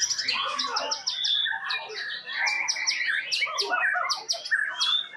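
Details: A competition white-rumped shama from Tasikmalaya, Indonesia, sings at the Liga Fighter Arena murai batu contest. The song is loud, rapid and continuous, packed with varied chirps, trills and whistled notes, with faint voices in the background.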